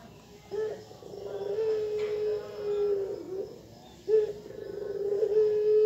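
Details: A caged Barbary (ringneck) dove in the morning gives two long, wavering, mid-pitched coos, each about three seconds, sounding strikingly like a child crying, over faint background hiss.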